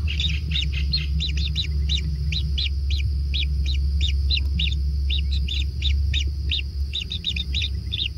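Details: Persistent begging of kingfisher young at a natural nest during feeding: crisp high chirps, often paired, repeated about three a second, set against a loud steady low-frequency drone.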